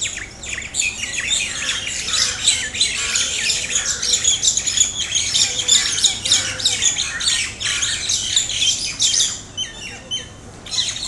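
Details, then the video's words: Mynas fighting, two pairs attacking each other until one pair flies off: a continuous tangle of loud, rasping squawks and shrill chattering calls, overlapping and jerky, easing slightly toward the end. "Mynas Fighting"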